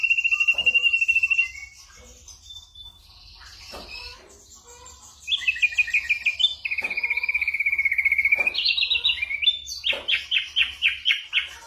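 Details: Ashy drongo in varied imitative song: a fast level trill, a quieter spell of thin whistles, then rapid rattling trills and a string of repeated sharp downslurred notes.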